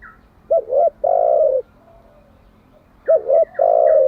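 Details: Spotted dove cooing, a recording meant for daily training of wild-caught and decoy doves: two phrases, each a quick doubled low note followed by one long steady coo, about two and a half seconds apart.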